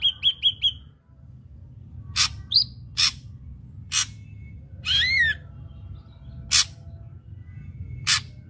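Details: Ashy drongo song played to coax untrained caged drongos into singing: a quick run of four clipped whistles, then spaced harsh rasping bursts and one wavering slurred note, set against a quiet low background hum.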